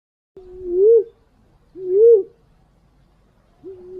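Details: Green pigeon call used as a hunting lure: low, mellow whistled notes that waver, then rise and fall, each about 0.7 seconds long and repeated every 1.4 seconds. Two full notes and the start of a third, with a quiet background.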